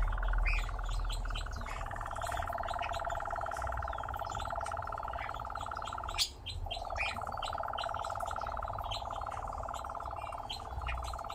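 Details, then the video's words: Nightjar singing while a person talks to it: a long, steady, mechanical churring trill that runs unbroken, stops briefly near the middle, then resumes at the same even pitch, with soft background noise. "Поющий козодой"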